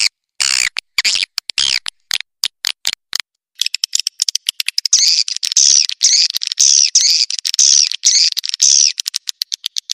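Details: Edible-nest swiftlets, a lure sound to make birds stay and roost: scattered sharp clicks at first, then a dense run of high, rippling twittered chirps over rapid ticking, roughly two per second.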